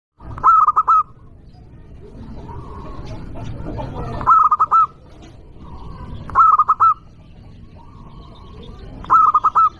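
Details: ['Local-strain zebra dove singing loudly, a lure sound meant to call and provoke rivals: four bright cooing phrases of four to five quick pulsed notes, each ending in a held coo, repeated roughly every two to three seconds over low background rumble.']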